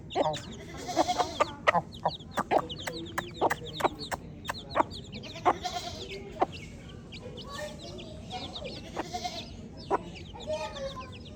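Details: A busy flock of baby chicks cheeping nonstop, high piercing slurred notes overlapping, with frequent quick tapping clicks throughout.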